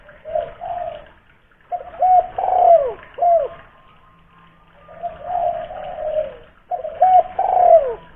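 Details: Local spotted dove from Kuningan, West Java, with a big voice, played to prompt other doves to call: deep repeated coo phrases with short hooked notes and longer rolling coos, several phrases in eight seconds, slight room echo.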